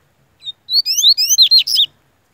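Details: Yellow-bellied seedeater, Bahian form, in full form, singing a powerful phrase: a short high note, then rising whistled slurs stacked in quick succession, ending in sharp buzzy descending notes, about nine elements in under two seconds.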